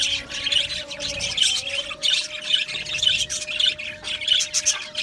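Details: Australian budgies chattering in an aviary colony: rhythmic bursts of high, buzzy chirps roughly every half second, with many birds overlapping and a faint steady tone below.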